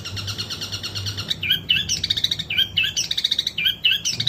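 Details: Long-tailed shrike singing in long bursts: a buzzy rattling run gives way to quick scratchy chattering notes and short sharp chips in uneven groups, over low background hum.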